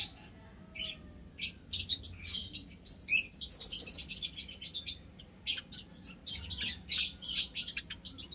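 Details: Rapid, high, dry chipping in quick irregular bursts from an aviary of 10 Java sparrows kept with white-headed, scaly-breasted and tricolored munias, other small birds possibly chattering alongside, recorded 21 March 2021; Java sparrow.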